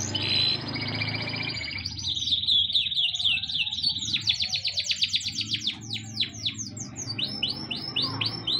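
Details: Captive pet birds, possibly parrots or lovebirds, giving a fast run of high chirps and downward-sweeping notes repeated about four times a second, with a low hum underneath.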